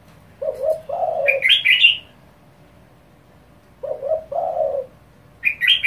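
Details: Rapid spotted dove calling meant to provoke other doves: two low hollow coo phrases, each a short double note and a longer note, each followed by bursts of high bright chirping.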